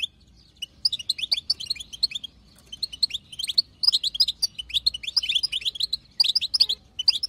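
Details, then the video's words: Batbata chatter of a wild female European goldfinch, used to prompt a male to sing: a brief silence, then repeated bursts of rapid tinkling twitters, each lasting about a second. "بتبتة حسون خلوي تهبل الحسون تخلي يغرد غصب عنو"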